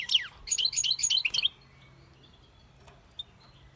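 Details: Hybrid bird giving a brief burst of high, quick chirping and twittered notes, starting with a falling slur, for about one and a half seconds, followed by near quiet with a faint low hum.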